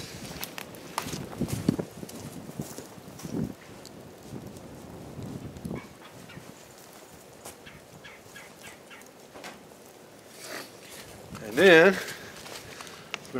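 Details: A Red-bellied Woodpecker gives one loud, rolling, slightly wavering churr near the end, over quiet outdoor background noise and faint cooking sounds of stew over a fire.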